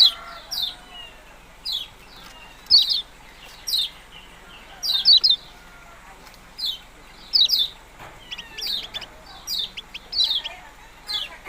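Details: Yellow-bellied prinia chirping steadily: thin, high, down-slurred notes, some doubled, repeated in an irregular series of about two dozen notes across eleven seconds, faint lower twittering behind.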